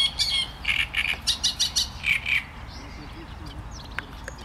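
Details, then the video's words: Great reed warbler singing: a run of harsh, chattering syllables repeated rapidly for about two and a half seconds, then faint quiet background. "Trzciniak i jego śpiew"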